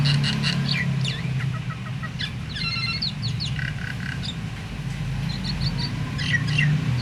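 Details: Myna chatter played to set other mynas, including quiet ones, singing: rapid stacked whistles and squeaks in irregular bursts, thinning out then returning near the end, over a constant low hum.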